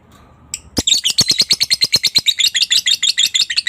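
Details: Lovebird ngekek chatter used as a lure so other lovebirds reply: after a short quiet lead-in, a burst of quick, piercing high notes in an even, rapid series.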